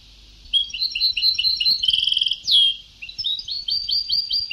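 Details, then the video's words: Old tape of Sebtaoui-style European goldfinch song: quick twittering phrases, then a buzzy rattling trill, a loud sharp downward-slurred note, a short pause, and more rhythmic repeated chirps. "Canto del jilguero antiguo شريط تغريد سبتاوي قدييييييم"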